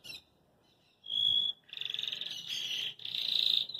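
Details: Belgian canary singing out of joy and hopping in its cage: a short high pure tone, then sustained buzzy rolling trills near the top of its range, broken by a brief gap.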